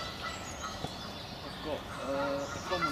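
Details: Distant Canada geese on estate lakes give a few nasal, slightly rising honks in the second half, faint against steady outdoor background noise.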